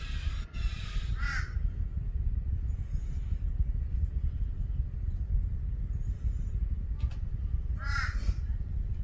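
A Torresian crow gives two harsh, nasal caw bursts about seven seconds apart over a steady low rumble of wind or distant traffic.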